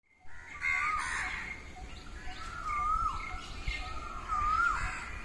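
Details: Peacocks calling in a field in the early morning: drawn-out, wavering, mid-pitched cries that rise and fall, several overlapping and repeating every second or so, over a steady low rumble of background noise.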